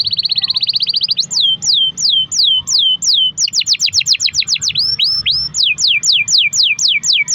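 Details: Canary in full song with long rolls, used as a lure to get other canaries singing: a fast high trill for about a second, then a steady series of sharp downslurred whistles, roughly four per second, with a faint low hum beneath.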